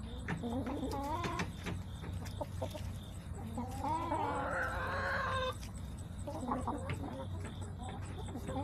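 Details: Hens in a backyard flock on 21 September 2024: quick clucks open, then a long, loud wavering squawk lasting about two seconds, followed by more clucking over a low background hum.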